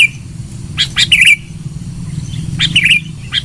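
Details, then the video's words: Sooty-headed bulbul lure song: two short bursts of sharp notes and bubbly chirps separated by a pause, above a low background hum. "Suara Pikat Burung KUTILANG GACOR.... suara keras 100% full bahan ikutan teler"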